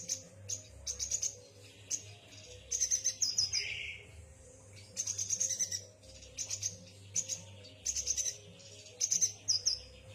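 A yuhina gives high, thin twittering chirps in quick bursts about every second, with one brief lower whistle, over a faint steady hum.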